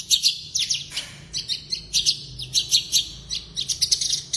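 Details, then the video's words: Javan bush lark of the blorok type singing actively with a full mimicked repertoire (isian): dense bursts of sharp, high chirps and buzzy notes, rapidly repeated in short phrases with brief gaps throughout. "Branjangan Javanica Blorok Gacor Full isian"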